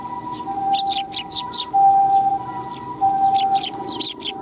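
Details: Eurasian tree sparrows arriving at a Tenmangu shrine on 12 July 2021 to be fed; short, sharp high chirps in irregular bursts, about 47 per minute, over a steady tonal hum and low background rumble.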